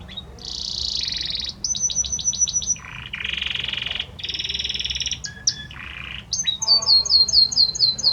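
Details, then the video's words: Male Belgian canary singing to his female: continuous loud song of rapid rolling trills, buzzy sustained tours, and a string of sharp, repeated, high whistled notes near the end, over a low background rumble. "Canta muito este Canário Belga para sua Fêmea - Canary Singing"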